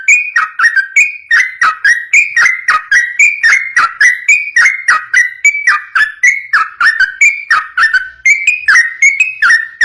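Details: {'caption': "Long, rapid 'ropel' singing of a yellow-vented bulbul intended to get other bulbuls calling back: steady run of gurgling, fluty two- and three-note phrases, evenly spaced and unbroken."}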